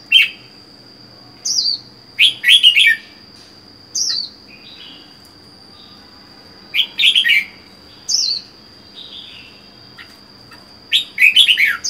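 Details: Single red-whiskered bulbul held in a cage for four months after capture repeats short loud warbled phrases every two to four seconds, with falling whistles between, over a constant high-pitched hum.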